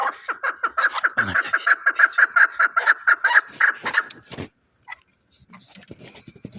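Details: Chukar partridge raised as a fighting bird, Shahritus, Tajikistan: a rapid, rhythmic series of harsh chuck notes for about four seconds, ending abruptly, then quiet background noise.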